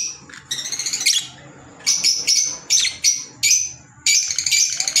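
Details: Green Fischer's lovebirds kept as pets, calling in loud shrill chirps and short buzzy chattering bursts separated by brief pauses, high-pitched throughout.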